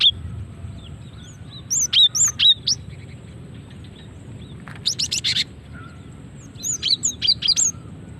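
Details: Female cinereous tit calling, used as a lure to draw birds and set them singing: three bursts of sharp, high chirps and thin upslurred whistled notes, each burst about a second long, with quiet gaps between them.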